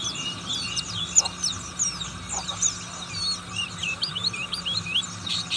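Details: Buxtoni Oriental white-eye, said to eat all kinds of fruit, giving a ngriwik song of continuous high, thin twitters and fast rising and falling whistled slurs over a constant low electrical hum.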